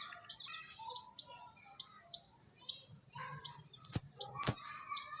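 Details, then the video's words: Domestic chicks giving quick high chirps in irregular runs, about two per second, with a few sharp clicks and faint lower murmurs behind them. "chicks chirping sounds"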